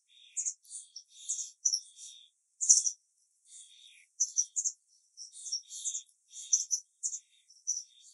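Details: White wagtail fledgling keeping in contact with its parents through a "tsivi-tsivi" exchange. High, thin chirps and short twittering phrases repeat irregularly, with brief pauses between bursts.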